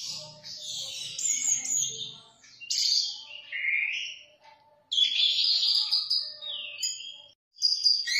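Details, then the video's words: Orange-headed thrush singing 'teler' style: a rich, varied run of warbled and whistled phrases mixing high thin notes with lower sweeping slurs, broken by brief gaps, with a faint low murmur at the start. "Anis merah teler"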